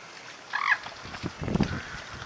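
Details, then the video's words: Coots sparring at WWT Slimbridge from the Zeiss Hide, mid April around noon on a misty day, filmed handheld on a camcorder: one short arched nasal call, followed by low splashing and scuffling on the water. "Fighting Coots"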